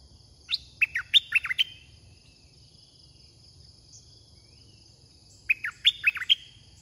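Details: Caged red-whiskered bulbul used as a decoy to lure wild birds, singing two quick bursts of short, clear, warbled notes that rise and fall, separated by about four seconds of quiet, over a faint low hum.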